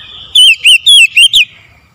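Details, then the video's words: Brief, loud morning phrase from an oriental magpie-robin: five quick, clear whistled notes, each rising and falling, in under a second. "OCEHAN KACER DI PAGI HARI"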